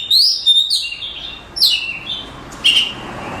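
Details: Oriental magpie-robin, a contest champion, giving bright downslurred whistles and a sharp chirp in quick phrases.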